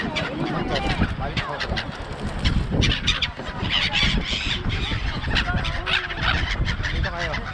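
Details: A large gull flock at Songdo, Busan, South Korea, calling constantly in a dense chorus. Harsh overlapping squawks and cries are heard, with low rumbling background noise.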